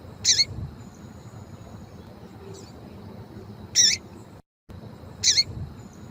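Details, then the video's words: Female double-collared seedeater call, played to warm up and stimulate a male's singing: three short, sharp, bright chips, spaced about one and a half to three and a half seconds apart, over quiet low background hiss. "ÁUDIO COM PIADO DE FÊMEA DE PAPA CAPIM"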